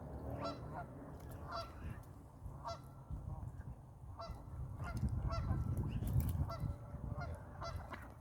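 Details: Ducks fighting, giving loud, harsh honking calls in quick, irregular succession, several per second at times, over a steady low rumble.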